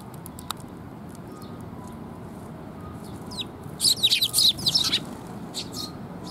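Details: Sparrows coming to a feeding platform for food on 7 June 2021. A burst of bright, high chirps crowds together midway, with a few scattered faint chirps before it and a low background rumble.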